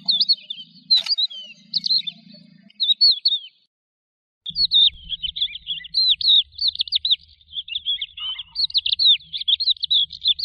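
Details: High chattering lark song: scattered notes at first, then after a short gap a dense, continuous stream of rapid up-and-down whistles, over a low rumbling background hum.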